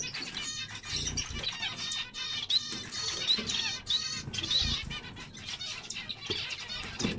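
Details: Zebra finch chorus: dense overlapping nasal, buzzy harmonic notes from several birds at once, with brief high clear whistles around the middle and a constant chattering background.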